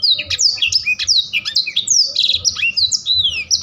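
A Black-throated Canary sings a fast, unbroken stream of high, sweeping whistles and quick trills, with a faint low hum beneath.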